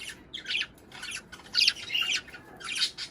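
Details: Budgies chattering to stimulate mating and laying: loud, raspy squawks and scratchy chirps in three or four close bursts, bright and high, one after another with short gaps.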